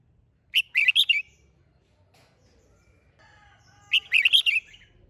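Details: A red-whiskered bulbul, caged and trained for singing competitions, sings two lively phrases of rapid chirpy notes a few seconds apart, with faint thin tones in between.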